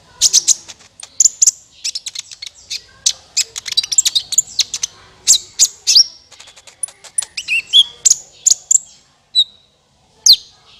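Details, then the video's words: Clear sunbird lure recording for trapping: continuous rapid high chips, ticks and short whistled slurs in a busy twittering stream, with a brief pause before a final sharp note. "SUARA PIKAT BURUNG KOLIBRI NINJA MANTAP SUARANYA JERNIH"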